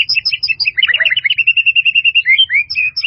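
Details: White-rumped shama in a melodious fill-in master recording: rapid chattering high notes running into a quick, even string of bright chips, ending with a few upslurred whistles.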